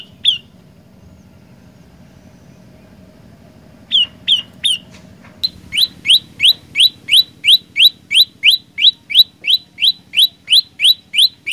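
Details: Olive-backed tailorbird in full voice: a single note, a long pause, three spaced notes, then an accelerating run of about twenty rapid, ringing, down-slurred notes at roughly three per second.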